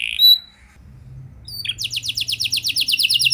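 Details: Canary song for prompting other canaries to sing. A short high note and a quiet pause come first, then a quick, even trill of high repeated notes over a low background hum.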